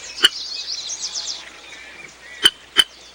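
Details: A Sora chick, hidden among marsh reeds and begging for food, gives three sharp, high chipping notes, one early and a quick pair near the end, over a faint hiss of high, buzzy background sound.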